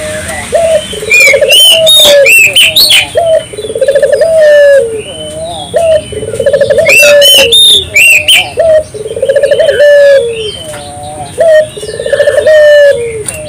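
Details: Spotted dove lure song for prompting local doves to sing. Repeated low stuttering coo phrases ending in falling notes, heavily overlapped by loud, high chirping and whistling from other birds.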